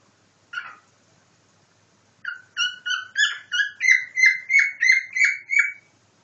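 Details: Cockatiel mimicking a nightingale: one chirp, a pause, then a fast, even run of about eleven repeated whistled notes, three per second, rising slightly in pitch and growing louder.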